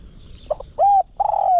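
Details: Spotted dove kept as a decoy bird to lure wild doves: two faint short notes, then two loud, drawn-out, level coos, the second ending in a slight downward slide, over quiet background hiss.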